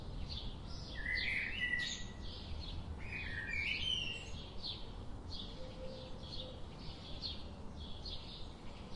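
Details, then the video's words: Bulbul nestlings during feeding, giving several bursts of bright, twittering chirps over the first four seconds, then a steady series of faint, high repeated notes against low background noise. "Bulbul baby birds in nest."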